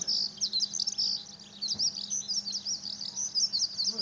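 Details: Eurasian skylark singing at an airport parking lot in Okayama, Japan, on a sunny day, 5 June 2013, recorded with a Lumix camera; a continuous, rapid stream of high chirps and trills, with a faint steady hum underneath.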